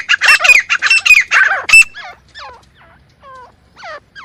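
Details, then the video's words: Partridge (teetar) calls used to attract birds for hunting: a loud burst of fast, harsh squawks, then quieter, clearer curved whistled notes trailing off. "Best Teetar Sound for Hunting!"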